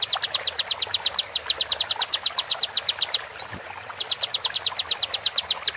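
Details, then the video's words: Konin tutor recording for songbird training: a long fast series of sharp, high repeated notes, a single rising swoop, then another quick series of clipped notes. "MASTERAN KONIN FULL ISIAN TEMBAKAN TAJAM"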